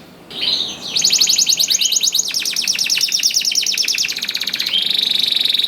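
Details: Canary in full, lively song, played to draw hesitant canaries into singing. An almost unbroken fast rolling trill of repeated notes ends in a steady, high, pure whistle.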